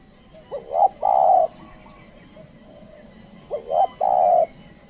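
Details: Spotted dove coos played or given as a lure for wild doves: two mellow three-note phrases, each ending in a drawn-out steady coo, spaced about three seconds apart with quiet between.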